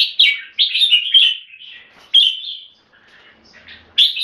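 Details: Singapore-kept red-whiskered bulbul giving clear keke notes and singing: loud, rich whistled phrases with slurred rising and falling notes, separated by short pauses, with a faint low background hum.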